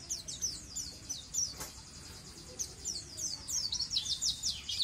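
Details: White-eye (pleci) in lively song, a training recording for untrained birds: a steady stream of high, rapid, slightly buzzy twitters, quieter at first and growing louder and denser toward the end, with a brief low click.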